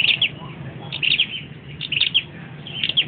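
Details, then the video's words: Flowerpecker perched and singing short clusters of sharp, high chipping notes, about one cluster per second, with quiet gaps between them. "Chim sau dau do dau hot"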